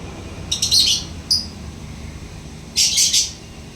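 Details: Caged lovebird chattering in the "ngekek" style: three bursts of shrill, rapid, high-pitched chirps, the last about half a second long, over a low indoor rumble.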